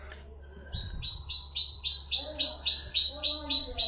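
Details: Common nightingale song played to teach goldfinches and canaries: a steady run of high, sharp two-toned notes repeated about four times a second, with faint low murmuring underneath.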